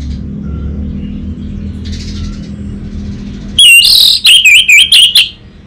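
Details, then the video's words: Orange-headed thrush, anis merah, master song from Singaraja, North Bali, used to draw a raw bird into answering loudly. Quiet hum gives way to a bright run of wavering whistled notes with scratchy overtones, in rapid pulses. "Pancingan dan Masteran Burung ANIS MERAH Bahan, SuPaya Nyaut Ngeplong dan Singset"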